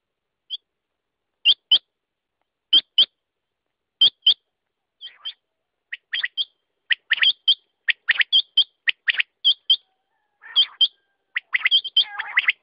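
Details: Quail calling: spaced pairs of sharp high notes about every 1.3 seconds that speed up into denser volleys, with some rough, scratchy notes toward the end.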